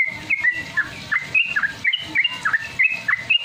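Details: Sooty-headed Bulbul song used to get caged birds singing: clear whistled notes in quick, bouncy succession, some swooping down steeply, over faint low thumping.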